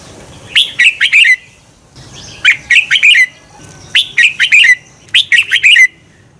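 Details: Competition-training song of a red-whiskered bulbul, played to make birds sing: four repeated bursts of clear, quickly tumbling whistled notes with even spacing and a quiet background.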